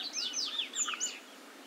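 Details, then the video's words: Lined seedeater singing in the wild while feeding on brachiaria grass seeds: a quick run of sweeping, slurred whistled notes, some falling, with a brief high note near the end of the phrase. "Bigodinho pardinho cantando muito e se alimentando de capim de braquiária na natureza"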